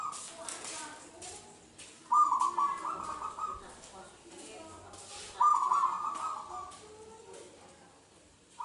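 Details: Wild local zebra dove from Indonesia, its song played to coax other doves into singing: two loud, rapid, rattling coo phrases separated by quieter stretches, with faint rustling and soft background noise.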